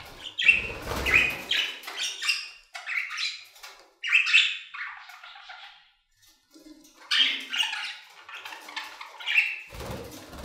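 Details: Aviary budgies producing quieter, broken chatter: short squeaky chirps and scratchy warbled snippets in loose clusters, with a near-silent pause in the middle.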